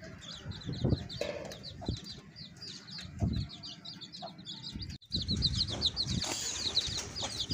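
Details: Baby chicks accompanying a hen give rapid high peeps, with handling bumps and rustles breaking in, a short silent gap just before five seconds, then louder overlapping cheeping to the end.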